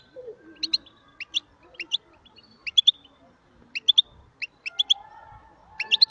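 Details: European goldfinch giving short, bright chirped notes in scattered pairs and clusters with irregular gaps, over a faint low hum and soft background noise.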